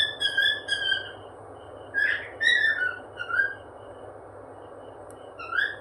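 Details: Cheerful cockatiel whistling in bursts: clear, slurred notes, some rising sharply, repeated in short phrases with gaps between, over a constant low indoor hum.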